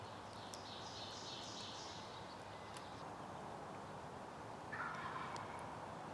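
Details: A young male wild turkey (jake) gives a rapid, rattling, throaty gobble about 10 yards away on public land during a hunt, with a second burst near the end over steady background hiss.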